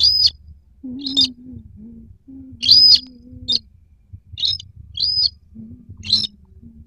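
White-browed crake giving short, high arched whistles with buzzy bursts, repeated about every two seconds over a low droning hum.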